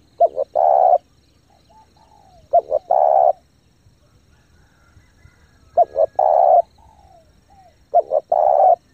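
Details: Lure spotted dove calling rapidly to draw in wild birds; four coo phrases, each two clipped notes leading into a sustained mid-pitched coo, with soft sliding whistles in between.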